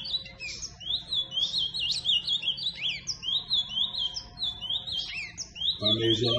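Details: Ultramarine grosbeak, known as azulão, in a Roberto Carlos style song: continuous warbled phrases of up-and-down whistled notes, with a man speaking Portuguese and a noise at the end.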